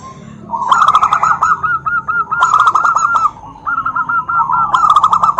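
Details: Zebra dove calling so other doves will answer back: long, loud runs of rapid, rhythmic coo notes, a bubbling, stuttering series repeated in three phrases with only brief breaks.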